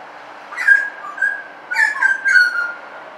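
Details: Suburban butcherbird song of rich, flute-like whistles: an opening slurred note, a softer one, then a quick run of three gliding phrases, against low steady background noise.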